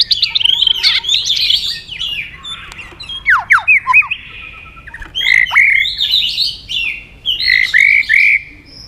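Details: White-rumped shama singing competitively: loud varied phrases of clear whistles, sharp downslurred notes and bright rising-falling whistles, with short pauses between bursts.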